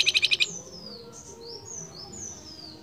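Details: Male flamboyan calling for its female with five rapid, evenly spaced buzzy notes, followed by a series of thin, high, descending whistles from other birds.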